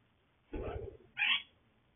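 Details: A green Quaker parrot (monk parakeet) gives two brief harsh calls: a rough, low, noisy chatter, then a sharp, higher squawk about half a second later.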